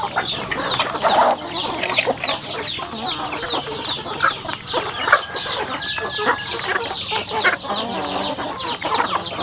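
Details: Flock of home-kept rural chickens while eating, producing a constant wash of high, sliding peeps and soft clucks, one longer level whistled note midway, with continual pecking and scratching clicks.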